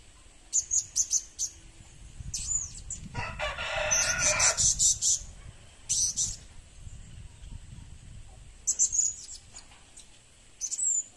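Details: Serindit (blue-crowned hanging parrot) being prepared as a lure bird: clusters of shrill, high-pitched squeaks come in irregular bursts, interrupted midway by a loud stretch of broad rustling noise.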